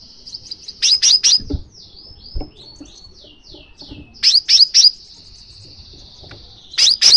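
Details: Calls of a Crimson sunbird meant to set a pet sunbird singing: clusters of three sharp, high chips alternating with a thin, sliding twitter and a sustained high buzzy trill.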